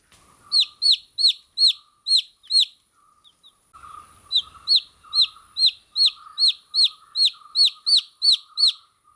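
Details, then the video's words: Baby chicks chirping in two runs of high, falling peeps separated by a short pause of about a second, with a faint steady hum running underneath. "Cute Baby Chicks Chirping Sound"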